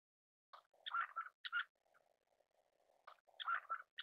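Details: A Black-necked grebe (Eared grebe, Podiceps nigricollis) gives quick, chattering trilled bursts in two phrases about two seconds apart, with a soft low murmur in between.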